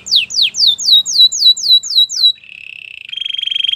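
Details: Belgian canary singing a training song: a fast series of repeated downslurred whistled notes about four per second, followed by a steady buzzy trill and a rapid pulsed rattle.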